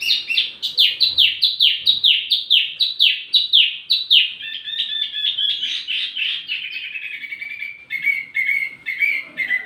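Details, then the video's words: Wambi mini tutor song: a rapid string of strong downslurred notes gives way to a busy, twittering trill, then lower buzzy warbled phrases toward the end. "wambi mini burung pancingan sekaligus masteran buat tledekan anda"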